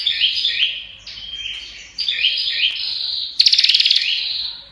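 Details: Nonstop prinia chatter: a stream of high, looping whistled notes in repeated phrases ends in one sharp, rapidly ticking buzzy trill.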